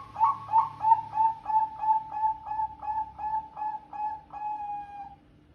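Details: Bangkok-type zebra dove delivering a long, sharp, loud song phrase of about thirteen rhythmic cooing notes, evenly spaced at about two per second, the final note drawn out and fading.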